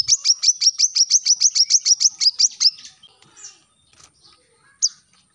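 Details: A single fast series of sharp high chips from a brown-throated sunbird, recorded as a training model for captive birds, ending abruptly and followed by near silence with one lone note.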